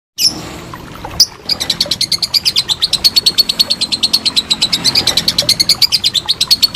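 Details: Lovebird giving a long ngekek trill, kept as a training master for contest birds: after two sharp opening notes, a fast even run of high chattering notes, about eleven per second, continuing steadily to the end.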